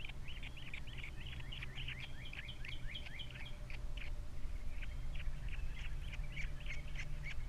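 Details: Osprey on a camera-watched nest at Captiva with three chicks, February 2022: dense bursts of rapid slurred whistles and chirps, briefly pausing, then resuming, with a low hum and a faint steady tone behind.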